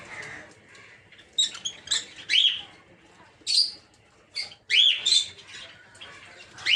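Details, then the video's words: Several rapid, high, upward-arching screeches come in quick bursts from peach-faced (rosy-faced) lovebirds of mixed colour varieties, housed together in an aviary for breeding. "Peach-Faced Lovebird's Sounds"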